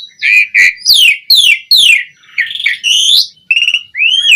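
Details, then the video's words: Asian pied starling in full, abundant song, used as lure and master audio to train other starlings: loud whistled notes sweeping down, harsh buzzy bursts and rising slurred whistles in quick succession, with no other sounds. "Suara Jalak Suren Gacor Melimpah Cocok Buat Pancingan & Masteran Burung Jalak Agar Gacor Full Isian"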